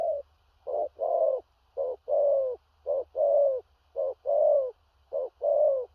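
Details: Big-bodied spotted dove in strong 'thổ rặc' song with stammering coos. Regular pairs of a clipped note and a fuller drawn-out coo, five pairs in six seconds, even and loud. Soft low hum underneath.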